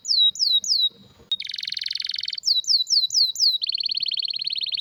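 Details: Canary singing strongly: falling slurred notes, a brief gap with a click, a dense buzzy roll, more repeated falling slurs, then a steady low rolling trill.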